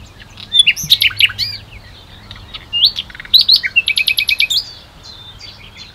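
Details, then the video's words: Singing common nightingale at the Ahsewiesen nature reserve in Germany, 1 June 2019 before noon: varied whistles and chirps, a pause, then a fast series of about ten repeated sharp notes, with quieter background birdsong and a low hum. "Nightingale Song / Nachtigall Gesang"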